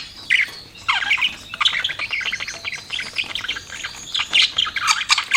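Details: Budgies kept as pets chirp and warble almost without pause, a rapid scratchy chatter of high twittering notes. Short louder bursts rise above the rest.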